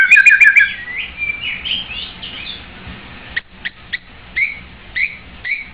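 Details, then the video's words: Song of a white-rumped shama: a fast burst of stacked notes opening, then varied slurred whistles and scattered sharp clicks with spaced short phrases. "White-rumped shama bird sing very well"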